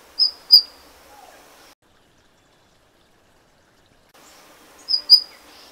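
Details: Golden bush robin calling twice, each time as a pair of sharp, high, brief notes. A stretch of silence separates the two pairs.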